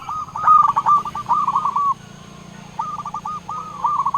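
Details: Zebra dove, local bird, calling rivals: a stuttered start followed by a run of soft looping coos, a pause, then another short rolling phrase, over low background hum.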